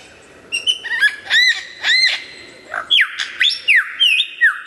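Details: Clear, loud lyrebird song opening with arched chirping notes, then switching to a series of ringing whistles that drop sharply in pitch and repeat several times.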